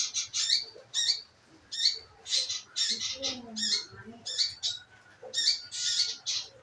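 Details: Lure recording of scarlet minivet calling to prompt the bird to sing; bright, high notes delivered in quick bursts roughly every half second, with faint lower twittering of other birds beneath.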